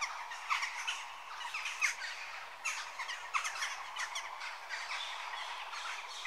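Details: Several Western jackdaws chattering together, harsh squawking chak notes crowding over one another in an irregular, steady stream.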